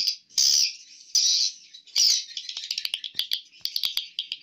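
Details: Swiftlets in the hatching room of a swiftlet house: three loud bursts of harsh, high chatter, followed by rapid clicking chirps repeated several times a second.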